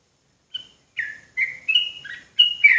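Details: Sooty-headed bulbul from Java singing spaced notes: a brief high pip, then slurred chirps and a longer wavering whistle, ending in a burbling flourish. The background is quiet.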